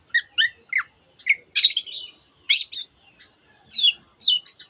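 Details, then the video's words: Long-tailed shrike song packed with imitations of canary and many other birds, made of scattered high twittery chirps, short whistles and a couple of brief dense trilled bursts separated by pauses. "cendet gacor nembak nembak rapat isian kenari dan banyak jenis burung yang masuk masteran"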